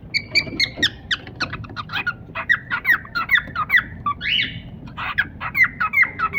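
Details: Short warbling chirps from a pet cockatiel pair repeat more than twice a second, each note bending down then up, with one higher rising squawk partway through.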